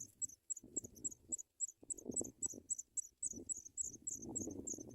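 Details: Chicks of African pipit begging while being brought white butterflies in the nest: continuous shrill, squeaky chirps repeated several per second, accompanied throughout by heavy rustling and fluttering sounds.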